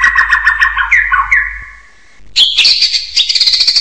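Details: Rich, harmonic chattering whistles from a hill myna, settling into a steady lower tone, then a brief hush before a loud, bright, high-pitched burst of squealing notes.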